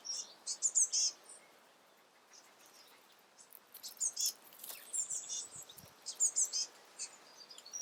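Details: Juvenile great spotted woodpecker being fed by a female parent after fledging; high, sharp chirps in short clustered bursts, loudest near the start and end, with a softer scatter of high notes between and a steady background hiss.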